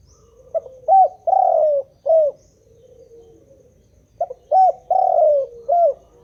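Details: Spotted dove calling on and on, two matching phrases of low hollow coos, short notes around a longer rolling middle note, separated by a brief quiet gap.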